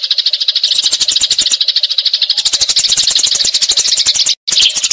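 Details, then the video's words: Fighting Eurasian tree sparrows give a continuous rapid chatter of harsh chirps, used as magpie robin tutor material, accompanied by steady sharp clicking knocks and a brief dropout near the end. "Gereja Tarung Ngeroll Abis"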